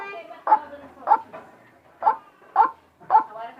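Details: White-breasted waterhen giving odd, hoarse, nasal notes, five spaced bursts with softer murmuring sounds between them.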